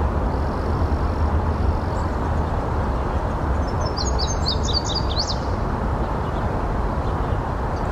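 An Indigo Bunting gives a quick burst of six or seven sharp, high chips over about a second and a half, set against a steady low traffic rumble.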